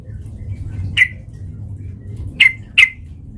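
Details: Sooty-headed bulbul lure for provoking fights: three short, harsh, scratchy notes, one alone and then a quick pair near the end, against low background noise.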